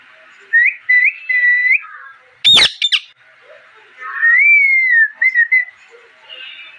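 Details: Parrot chirping: clear whistled notes, some held and some gently rising and falling, in short bursts. A sharp broadband clatter interrupts midway, followed by a long, smoothly arching whistle and quick chirps.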